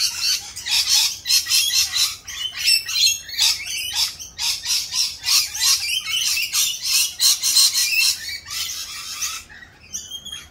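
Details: Rainbow lorikeets calling raucously in mating season while doing a mating dance, a continuous run of shrill, buzzy screeches packed closely together for about nine seconds before a short pause and a final squawk.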